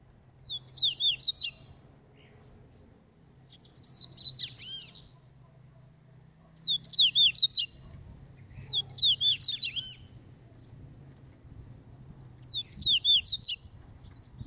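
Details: Double-collared seedeater training its song, delivering short high, twittering bursts of about a second each, repeated roughly every three seconds over a quiet low rumble.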